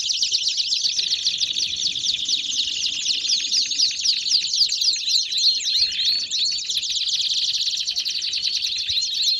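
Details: Singing Belgian canaries deliver a long, unbroken sequence of quick repeated high notes, shifting from rattling trills to rolling, sweeping phrases, about four units per second.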